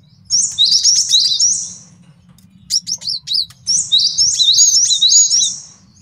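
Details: Two bursts of rapid, high, downslurred whistles from a male cinereous tit, kept as a master song for tutoring songbirds and for trapping. A few separate sharp notes sit between the bursts.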